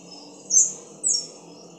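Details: Two piercing high, thin notes from a Black-crowned palm-tanager, found in the Dominican Republic and Haiti, spaced half a second apart, each brief and slightly down-slurred, with soft steady hum behind.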